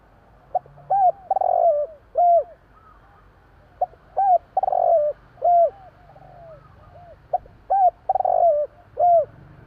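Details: Javan spotted dove cooing at night, three repeated phrases, each a short note, a hooked coo, a long burry descending coo and one or two clear arched notes, fairly evenly spaced.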